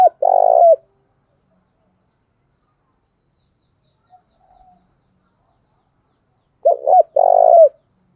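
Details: Spotted dove used as a decoy to make wild doves call back, said to have a 'đồng' voice. Two low, resonant coo phrases, each two quick notes and then a longer throbbing note, are separated by several seconds of quiet.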